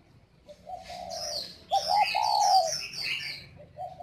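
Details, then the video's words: Spotted dove of the northern Vietnamese 'giọng còi' (whistle voice) singing style, kept at a farm in Ba Vì, Hanoi: drawn-out low coos repeated three times, under a busy layer of high twittering from other small birds. "chim cu gáy GIỌNG CÒI miền bắc"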